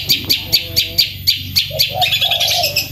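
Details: Long-tailed shrike singing kuntilanak style, loud and fast, for training songbirds: sharp high chips repeated about every quarter second, then lower cooing phrases and quick high whistles, steady low hum behind.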